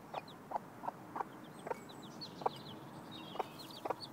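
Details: Mother hen showing her chicks how to look for food: steady, low, short clucks repeated roughly every third to half second, with faint high chick peeps in the background.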